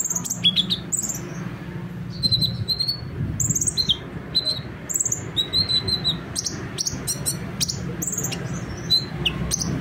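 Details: Sunbird, known locally as konin or kolibri ninja, singing energetically as a prompt for quiet sunbirds: high, piercing chirps and short trilled phrases in uneven bursts, with a noticeable rumbling background noise underneath.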